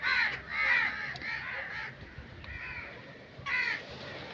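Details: Hoarse, drawn-out crow caws, two or three strong calls followed by softer ones, with steady background hiss.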